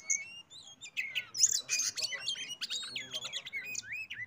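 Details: Kacer, the oriental magpie-robin, in song meant to lure other birds into singing: dense high whistled phrases, trills and sweeping upslurred and downslurred notes, with a few clean drawn-out whistles between busier bursts.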